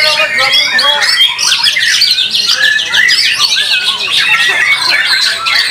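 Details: Competition singing of white-rumped shama (murai batu), a performance praised for tune, power and stamina; fast, high, looping whistled phrases and chatters overlap from multiple birds, with faint murmuring voices underneath.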